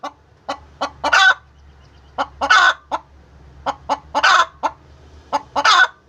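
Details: Egg-laying hen cackling in groups of quick clipped clucks, each group capped by a loud raspy squawk, with a low steady hum in the background.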